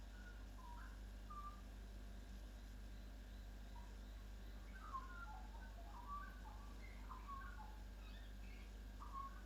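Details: Local Australian magpie singing at a kitchen window in Chelsea, Victoria, Australia, imitating R2-D2 sounds: soft scattered chirps, clicks and short warbled notes, faint over a steady low hum.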